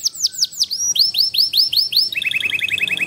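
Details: Small competition canary with a distinctive cengkok ngawet song style: a series of high, downward-swooping whistled notes, slowing slightly, then switching to a quick, even trill of short rising notes.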